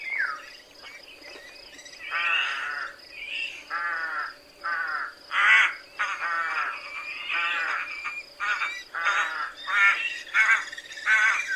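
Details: Hoarse, rasping rook caws repeated more than once per second in an irregular series. Some calls are short and clipped, others drawn out, and louder notes come toward the end.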